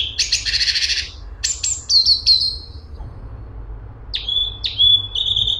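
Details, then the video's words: Cungkok song: a dense buzzy rattle, then high downslurred whistles, a pause, and a few clear flat whistled notes at the end. "CUNGKOK ISTIMEWA !! Cungkok super gacor besetan rapet"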